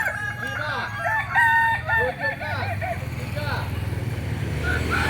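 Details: Solok-bred Kokok Balenggek rooster from West Sumatra, Indonesia, crowing in a string of about a dozen quick looping syllables that fade out, with low rumbling background noise.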